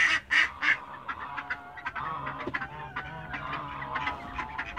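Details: Toulouse geese in a backyard: three loud nasal honks open, then softer, scattered honks and clucks from several birds over a low background murmur.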